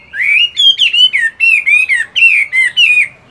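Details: Moulting caged Chinese hwamei in morning song practice, delivering loud clear whistles in a steady series of slurred phrases that dip and rise, roughly three per second.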